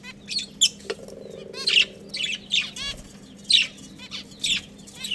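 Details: Budgies, a breeding pair and family, chirping busily: dense runs of bright, harmonic chirrups and chattering notes in rapid succession, with a soft low hum behind.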